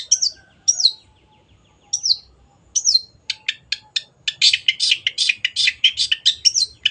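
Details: Long-tailed shrike (cendet) song for tutoring caged birds: several spaced, sharp whistled downslurred notes, then an accelerating burst of rasping, chattering notes over the last three seconds.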